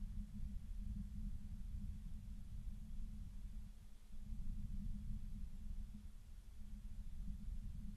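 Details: Only a continuous deep rumble, like wind buffeting a microphone or distant traffic, is heard, with no animal voice.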